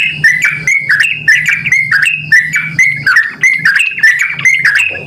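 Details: Yellow-vented bulbul in vigorous voice, used so other bulbuls will respond: jaunty, burbling whistled phrases repeated about every second, with a low background hum.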